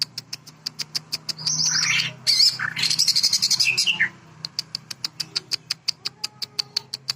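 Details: Greater green leafbird (cucak ijo) showing off its sewing-machine (mesin jahit) fill: a steady run of sharp high ticks, about three per second, breaks into a dense burst of buzzy, warbled chattering phrases, then resumes the rapid mechanical ticking.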